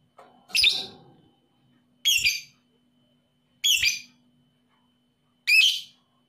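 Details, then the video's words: Lovebird calls played to stir quiet, unmotivated lovebirds into singing: four harsh, shrill squawks, each about half a second long, spaced roughly one and a half to two seconds apart, over a faint steady low hum. "PANCINGAN LOVEBIRD PAUD EMOSI"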